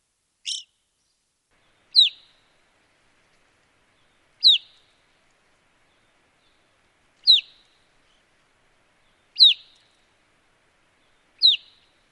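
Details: Evening grosbeak in Wisconsin repeating a short, downslurred, piercing call six times at irregular gaps of two to three seconds, against silence.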